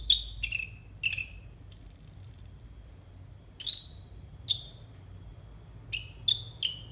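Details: Konin singing for training untrained konin birds: short descending chirps in quick pairs and triplets, broken by a long, very high, thin whistled note and then more spaced chirps.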